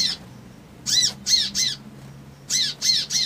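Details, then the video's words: Two groups of three sharp, high, arched notes with a pause between them. A crimson sunbird is calling to provoke an emotional response. "SOGON NGRIWIK NGLEPER TROTOL PANCINGAN EMOSI❗BIKIN CEPAT RESPON"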